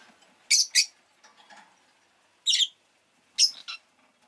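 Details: Rosy-faced lovebird giving harsh, buzzy shrieked chirps, a quick double note, then two more single and double bursts spaced about a second apart, with faint clicks and soft murmurs between.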